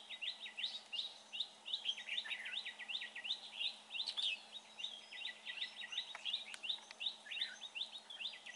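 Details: Red-whiskered bulbul at a trapping site, noted for good form and voice; continuous fast chatter of short, bright whistled notes, about three per second, swelling louder near the middle.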